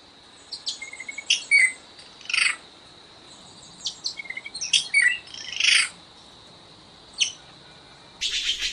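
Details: Red-billed blue magpie calls: scattered rasping bursts and short whistled notes at irregular intervals over a steady high hiss, ending in a burst of broadband noise.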